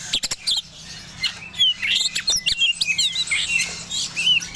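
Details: Oriental magpie-robin of the Medan type in breeding condition pouring out quick bright chirps and twisting whistles, about three notes a second, in a lively, unbroken burst of song.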